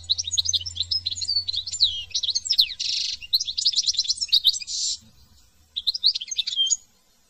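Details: European goldfinch in France pouring out a varied, rapid medley of high twittering and slurred notes broken by two harsh buzzy bursts, then a final short twittering phrase.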